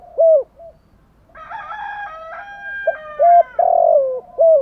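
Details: Spotted dove giving its urging coo, known as thúc gù. Short, mellow coos open and close the sequence, and a loud rooster crow fills the middle.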